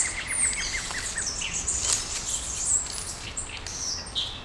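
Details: Small birds singing at dawn in Brasília, Brazil: several overlapping voices, with a quick run of short chirps at the start, then high thin whistles and bright squeaky notes.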